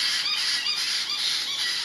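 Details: Baby caiques in a brooder at night, old enough not to need night feeding, screaming for food: a dense, harsh, continuous wall of high raspy screeches without a break.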